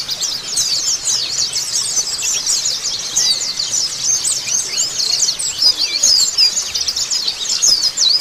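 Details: Lure recording of many Oriental white-eyes singing together to get a bird responding: a busy wall of high, thin, rapidly jumbled chirps and twitters throughout.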